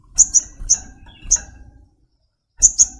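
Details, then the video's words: Brown-throated sunbird (sogok ontong) giving rapid, bright high chips in pairs, a short silence, then another quick pair, over faint low rustling. "Tropical Bird Calls to Relax honey bird sogokontong"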